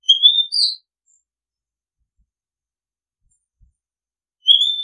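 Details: Short bright whistles from an Oriental magpie-robin, a rising note with a higher twitter, then silence and another rising whistle about four seconds later; recorded as a calling and decoy-bird sound.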